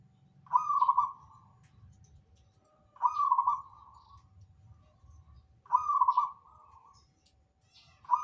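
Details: Zebra dove in full song, three clear trilled coo phrases repeated at roughly 2.5-second intervals, each opening with a sharp note and rolling into a beaded warble, with soft low background noise.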